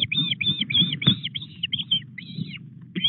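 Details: Osprey at the Llyn Clywedog nest in Wales on 17 August at 19:24, one bird bringing a fish to the nest; a rapid series of short, high, slightly downslurred whistled chirps, about three per second, over low background rumble.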